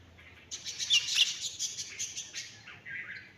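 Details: Myna chatter: a rapid string of high, grating, squawky notes, about four per second, fading into a short clearer whistled ending after some two and a half seconds.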